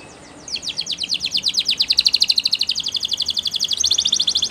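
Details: Belgian canary singing a training song: a fast, even trill of bright, high notes repeated about three times per second over a steady low hiss, with a slightly rougher, buzzier phrase at the end.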